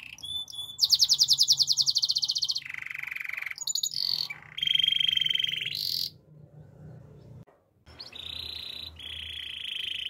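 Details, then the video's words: Belgian canary performing a varied song of dense rattling trills and lower buzzy rolls, broken by short pauses and a brief silence, resuming with steady mid-pitched buzzing trills. "Belgian Canary Song"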